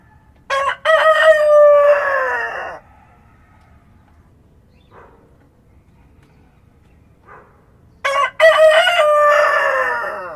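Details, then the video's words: Real farm rooster at dawn, countryside ambience: two full crows about six seconds apart, each opening with a short sharp burst and then a drawn-out, rich, falling call, with soft faint noises in the quiet gap. "Rooster Crowing at Dawn (1 Hour) | Sonido de Gallo Cantando al Amanecer"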